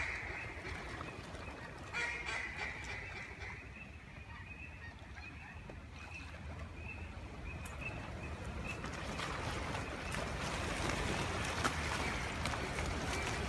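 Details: Thousands of mallards pour into flooded timber at the Wolf Farm during a hunt, with around 1,000 to 10,000 on the water. They give a dense, steady chorus of overlapping quacks and chatter that swells toward the end, over a low rush of wind and wings.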